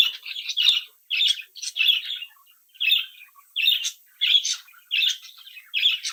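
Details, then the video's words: Brood of young pet budgerigars singing and chattering: bright, scratchy chirp bursts repeated roughly every half second, each a quick warbled cluster, loud and clear in an indoor setting. "Sonidos de Mi Cría de Periquitos Australianos"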